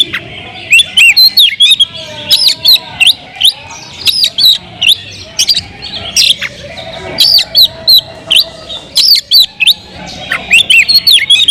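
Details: Caged Oriental magpie-robin (kacer) in sustained song: a long run of varied whistled phrases, swooping notes and crisp chips in steady bursts, with a faint lower whistle behind.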